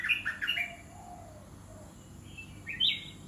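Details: Red-whiskered bulbul kept in a cage, giving loud clipped whistles at the start, softer low sliding notes in the middle, then a final pair of sharp rising whistles.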